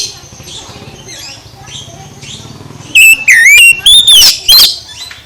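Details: After a quiet, faintly noisy opening, an oriental magpie-robin breaks into loud whistled phrases: rising and falling slurs in four or five quick bursts.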